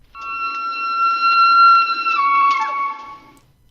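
A steady, flute-like whistled tone holds for about two seconds, then steps down and slides lower before stopping, with no animal voice.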